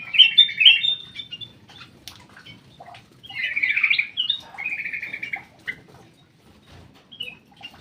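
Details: Black-crested bulbul kept in an aviary, singing short bright chirped phrases with a sharp whistled note near the start, then a louder buzzy warbled run in the middle and a quieter trailing phrase, over a faint low rumble.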